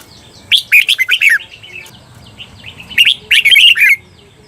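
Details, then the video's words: Caged red-whiskered bulbul on a training recording for the doubled 'beun' song: two rapid warbled phrases of five or six clear, falling notes, separated by a pause of about one and a half seconds with soft twittering between. "เสียงฝึกเบิ้ล นกกรงหัวจุก เปิดสอนเบิ้ลยาวๆ เบิ้ลได้แน่นอน"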